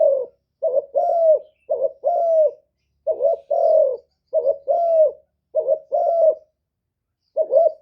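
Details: Lure spotted dove calling in the '1 hậu' style to attract wild doves. Seven repeated two-part coos, a brief rising note then a longer falling one, steady rhythm with one longer pause before the last.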